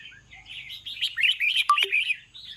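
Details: In the evening, a red-whiskered bulbul delivers lively warbled phrases of rolling whistled notes, building after a quiet start, with a sharp click partway through and a faint low hum behind.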